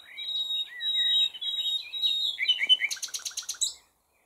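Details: Common nightingale singing a phrase of pure, drawn-out whistles that speed into short notes, then a fast, loud, evenly repeated rattle of about eight notes before falling silent.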